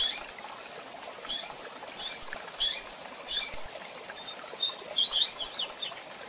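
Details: Female double-collared seedeater calling to excite a male, short high chirps repeated irregularly, some doubled, with a denser burst of chirping near the end over a steady hiss.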